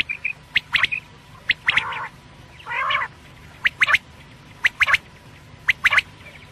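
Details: Quail calling at night: rapid paired clicky notes roughly once a second, broken by two longer rasping harmonic calls; steady faint hum in the background.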